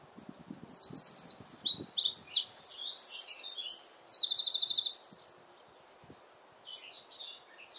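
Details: Eurasian wren in full song, competing with the wind: brisk high trills and sharp chips for about five seconds, two buzzy rattles at the center, then a pause and a softer distant phrase; low knocks and wind noise early on.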